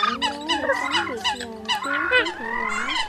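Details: Eurasian coot calls from an October 2020 lure recording for attracting birds: drawn-out nasal calls with gliding pitch, several overlapping, plus steady low tones beneath.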